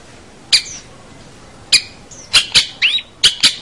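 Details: Long-tailed shrike recording used to train young birds: sharp, explosive harsh notes given singly and in quick pairs, with a few short whistled slurs between, separated by pauses of about a second.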